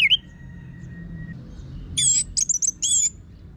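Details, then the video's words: Orange-headed thrush song, Geokichla citrina, from Singaraja in North Bali, used as a lure to train birds: an opening whistle and a long thin steady tone, then a quick burst of high, sharp, twisting notes. "Pancingan ANIS MERAH Gacor Suara Kasar Ini Membuat Burung Ikutan Ngeplong"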